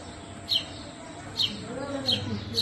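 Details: House sparrow mother feeding her baby birds; sharp high chirps come in spaced bursts, roughly four across a few seconds, over soft low noise.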